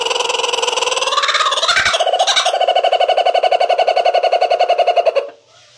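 A laughing kookaburra opens with a few rising, wavering hoots, then breaks into a fast, steady run of hoarse chuckling notes that stops abruptly.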